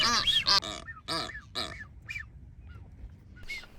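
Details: Blue-footed boobies, several nesting pairs, in courtship dance on North Seymour Island, Galápagos, Ecuador: loud harmonic honks in quick bursts, then softer thin whistled notes that rise and fall, spaced irregularly.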